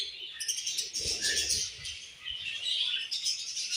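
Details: Budgerigars chirping together in a dense high chatter of squeaks and warbles, with a soft fluttering of wings early on.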